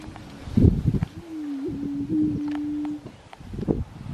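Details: Displaying grouse on a Colorado lek, 2023. Thumping pops open the sequence, then a smooth low droning note holds for about two seconds, followed by more low pops.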